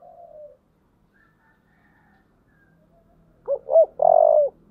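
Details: After a brief soft coo and a pause, a spotted dove with a 'giọng thổ' voice, roused for fighting, delivers two short bouncy coos and one long, sustained, mellow note.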